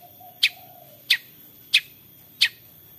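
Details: 'Toet toet' calling of a lively long-tailed shrike, meant to prompt other shrikes to sing: four crisp, harsh notes spaced evenly about two thirds of a second apart, with little else audible.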